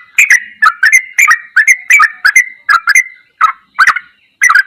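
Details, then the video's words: Sooty-headed bulbul singing in the ropelan goklikan style for tutoring: a run of liquid, chuckling notes about twice a second, thinning into a few spaced phrases at the end. "MASTERAN TRUCUKAN TERBAIK || ROPELAN GOKLIKAN TOP"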